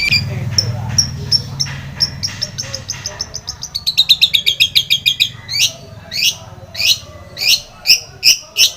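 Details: Long-tailed shrike song meant to provoke a quiet shrike into singing: rapid ticking notes accelerating into a fast rattling trill, then loud, evenly spaced rising squeaky notes, with low rumble underneath.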